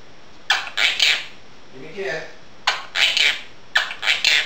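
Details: Pet female Quaker parrot talking indoors while dishes are washed nearby, slow to warm up; bursts of harsh, squawky speech-like syllables in clusters of two or three, with a quieter lower-pitched murmur between them.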